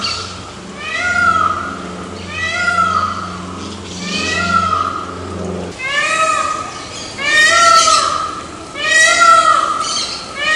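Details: Series of strident, nasal peafowl wails, each rising then falling and repeated about every second or two. A low steady droning tone sits underneath during the first half.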